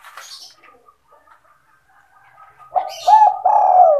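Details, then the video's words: Spotted dove lure call, 'sandung kuk 2' style: after a stretch of faint scattered chirps and hiss, a loud mellow coo phrase of two short notes and a longer coo closes the recording. "SUARA PIKAT BURUNG TEKUKUR DERKUKU GACOR SANDUNG KUK 2"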